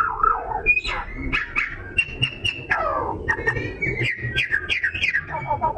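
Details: Oriental magpie-robin in full, varied song meant to provoke other birds; long steady whistles, sharp high chips, descending slurs and clusters of rising notes, loud and energetic with scarcely a pause.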